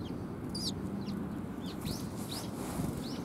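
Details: Sparrows gathering for food at a Tenmangu shrine, 18 December 2020: a run of thin, arched chirps, rising then falling, every half second or so over steady low rumble.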